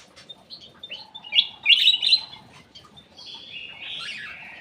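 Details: Lure song of an aviary bulbul: scattered soft chirps building into loud, rich warbled phrases, then long sliding whistles that trail off, with low background clatter.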